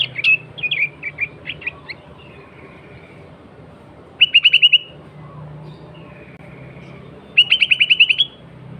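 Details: Sooty-headed bulbul singing loudly as a lure for other bulbuls: short warbled, whistled phrases near the start, then two bursts of rapid, evenly repeated chattering notes about three seconds apart, over a low steady hum.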